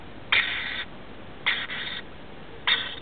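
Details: A family of four rainbow lorikeets, adult pair with two young, roosting in a roof at nightfall; three grating, noisy squawks, each about half a second long, spaced roughly a second apart over steady background hiss.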